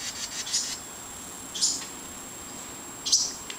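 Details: House wren fledglings leaving the nest near a back porch: thin, very high chirps in short bursts, repeated roughly every one and a half seconds over a steady faint hum.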